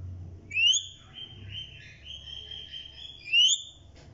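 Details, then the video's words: A parrot, called a talking and dancing parrot, gives two sharp rising whistles about three seconds apart, joined by a softer, wavering whistled tone, over a low background hum. "Bolny Wala Tota"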